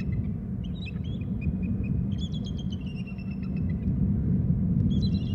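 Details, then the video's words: Two bald eagles calling: thin, high, chittering piping notes in short strings, some held flat and some stepped, over a loud steady low rumble. "Both call"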